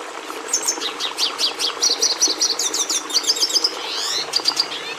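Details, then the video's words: Red siskin (Carduelis cucullata) song: an accelerating series of high chirps leading into buzzy, rattling trills and a squeaky descending slide, with a few sharp notes at the end. "Canto do Tarim da Venezuela"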